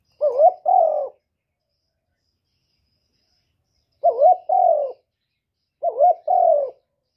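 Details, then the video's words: Spotted dove calling in the single-ending style (một hậu): three two-part coo phrases, a short rising-falling note followed by a longer mellow falling coo, with long silent gaps between; clean recording, no other sounds. "cu gáy gọi một hậu ròng mới nhất"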